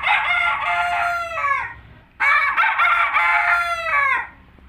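A rooster crows twice, each a loud, harsh cock-a-doodle-doo of about two seconds that rises, holds, then drops away at the end.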